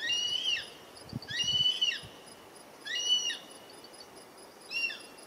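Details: Juvenile Black-and-chestnut Eagle, Ecuador, repeating a piercing whistled call four times, roughly every one and a half seconds. Each call is a level, strained whistle ending in a quick downward slur, with faint low knocks between calls.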